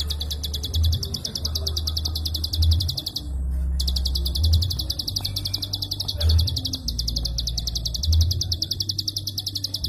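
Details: Prinia giving a klik call in long, dense bursts with almost no pauses, used as a master recording for training songbirds: a rapid, even series of high clicks, about ten a second, broken by one short gap, over a steady low hum.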